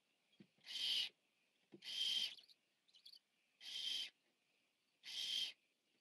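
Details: Biggest Barn Owl owlet feeding on 14 September 2015 at a nest cam. It gives four harsh, noisy hisses of about half a second each, spaced roughly every one and a half seconds, with soft clicks in the gaps.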